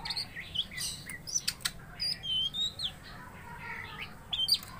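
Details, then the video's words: Caged greater green leafbird provoked to fight a rival; varied whistled and slurred notes mixed with sharp clicks and chattering, busy and irregular throughout. "Tes Mental Cucak Ijo Gacor Tarung Bikin Emosi Cucak Ijo Kamu"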